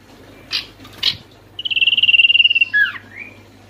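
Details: Oriental white-eye, played to coax quiet, stressed or newly caught white-eyes into singing: two short noisy bursts, then a rapid, even, high trill followed by quick descending slurred notes.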